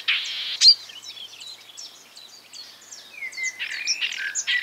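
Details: Imitative marsh warbler song: an opening harsh buzzy note and a sharp click, followed by soft, twittering mixed chatter and a rising whistle, ending in scratchy buzzes.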